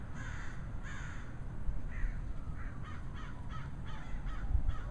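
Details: Loud cawing from black birds gathered in flocks on a power line in a residential area in July 2011: rasping caws scattered through, several callers overlapping, masked by steady low rumbling background noise.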